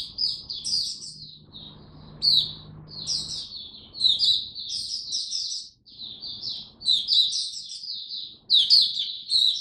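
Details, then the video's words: A captive Oriental white-eye, its diet adjusted to cope with cold rainy weather, 08/10/2022, sings a rapid, continuous stream of high, sweet twittering notes that rise and fall with brief pauses, faint low hum behind. "Mata Puteh Buka Sing"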